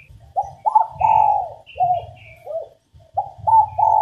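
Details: Female spotted dove calling to prompt males into cooing: full, hollow coos, a long held note followed by shorter falling ones, repeated in two phrases over a steady low rumbling background.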